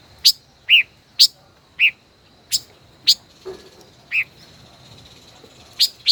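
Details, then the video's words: Caged five-colored bird, a decoy kept over a year, singing in a song duel: loud, sharp chirped notes repeated about every half second in a brisk, uneven series, with a faint steady high tone behind. "Chim ngũ sắc hót đấu ,chim mồi hơn 1 năm lồng hót đấu căng đét luôn"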